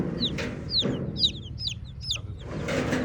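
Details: Several red chicken chicks chirp in quick, uneven bursts of high, downward-sliding peeps that sometimes overlap, with soft background noise and a brief broadband rustle near the end.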